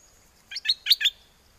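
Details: Southern Thai caged bulbul, from Chana in Songkhla province, singing a wild-style phrase to call a mate in windy conditions: four bright, evenly spaced chirps delivered within about half a second, otherwise quiet.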